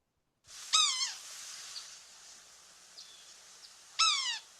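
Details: Yellow-bellied Sapsucker giving its common whiny squeal call: two nasal, downslurred, mewing wails, each about half a second long and several seconds apart, over a faint background hiss.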